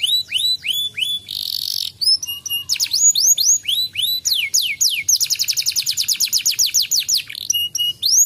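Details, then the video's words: Canary song for encouraging a reluctant singer: arched whistles, a brief buzzy burst, varied slurred syllables, then a long rapid series of sharp down-slurred notes and a final whistled phrase. "pancingan Kenari malas bunyi"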